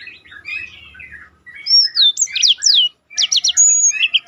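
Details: Black-throated canary in roll song for training contest birds: quiet twittering, then a long high whistle sliding down, looping slurred whistles and a quick trill, briefly pausing before more fast notes.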